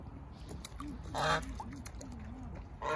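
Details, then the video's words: A domestic goose gives one loud, harsh nasal honk, and another begins as the clip ends, while softer, low wavering calls murmur underneath. "거위 울음소리"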